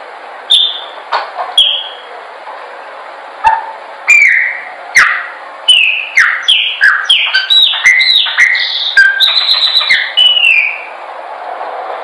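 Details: Training song of a Chopi blackbird: a few separate whistles, then a quickening string of liquid, down-slurred notes and sharp clicks, ending with a sustained whistle, over a soft steady hiss.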